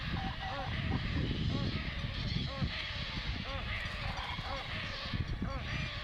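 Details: Hungry painted stork chick with its mother at Bharatpur Bird Sanctuary, crying for food in a string of soft, brief nasal cries about a second apart, partly masked by heavy low background noise.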